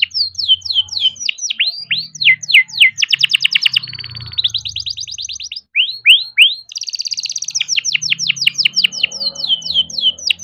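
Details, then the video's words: Caged young canary singing continuously, meant to stimulate other canaries: strings of quick downward-sweeping notes, bursts of very rapid clicking trills, and a buzzy high section, all loud and unbroken for ten seconds. "BURUNG KENARI GACOR NGEROL BISA JUGA BUAT PANCINGAN KENARI MALAS BUNYI"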